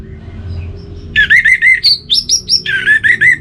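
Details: Orange-headed thrush song from North Bali, played to stimulate birds that have stopped singing. A run of quick, slurred whistled notes, about fourteen in two seconds, jumps between low and higher pitches. A steady background hum continues.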